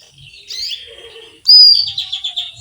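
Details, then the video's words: Female canary calling for a male: soft twittering, then a sudden loud burst of rapid, pulsing chirps repeated several times in quick succession. "Female canary chirps calling male"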